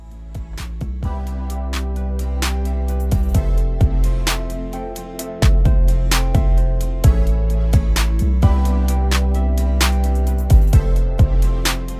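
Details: Only music is heard, with steady bass, plucked guitar-like notes and drum hits, and no animal sounds.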